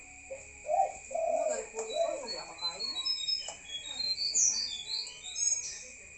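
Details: Spotted dove at night giving a short, low, husky cooing phrase early on, followed by high thin chirps from other birds over a constant whining tone.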